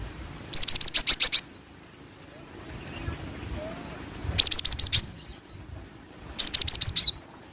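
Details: Lure recording of a female cinereous tit: three separate bursts of rapid, evenly spaced high piping notes, five to seven notes each, with quiet pauses of about two seconds between them.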